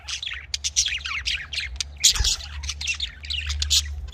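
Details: Breeding budgerigars, known locally as Australian parrots, chatter with quick warbling chirps and squeaky notes in rapid series, plus a steady low hum and a brief thump midway.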